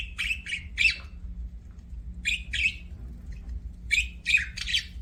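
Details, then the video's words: Budgerigar chirping, short harsh squawky notes in clusters of two or three, spaced by brief pauses, with a faint low hum underneath. "BUDGIE CHIRPING SOUNDS"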